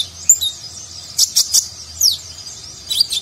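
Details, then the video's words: High sweeping and downslurred whistles mixed with bright chirps from a konin sunbird in nagen style, a recording for training contest birds. "Konin Gacor Isian Mewah Gaya Nagen, Cocok Untuk Masteran Burung Lomba"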